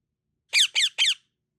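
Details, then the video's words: Parrot chirping with kisses; three short rasping chirps in quick succession, each with a falling sweep, clean and close in a quiet room. "Parrot Chirping sound with lots of kisses"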